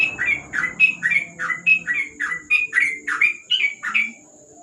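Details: Ropel song of a yellow-vented bulbul (trucuk), recorded at night under a lamp: about a dozen loud, clipped chirps in steady succession, each rising then falling, backed by a faint high hum.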